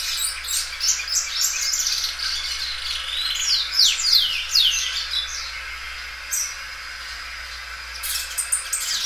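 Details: Belgian canary, a loud singer that stretches its song many times, giving a run of quick high descending notes and trills, then fading to scattered short chirps.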